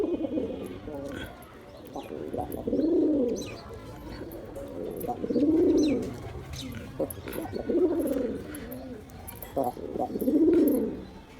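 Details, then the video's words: Male pigeon attracting a female, five steady, bubbling low coos spaced about two and a half seconds apart, each rising and fading smoothly over a quiet background hum. "Male Pigeon Sounds To Attract Female Pigeon"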